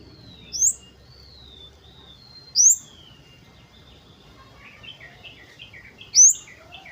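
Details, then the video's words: Flowerpecker (kemade) singing actively in the wild, used as a lure to prompt birds to sing: three sharp, high, downslurred whistles spaced about two seconds apart, with softer lower whistles and a quick twittering series near the end. "PANCINGAN KEMADE BAHAN AGAR BUNYI || KEMADE/CABE CABEAN GACOR NGALAS WUCIT WUCIT"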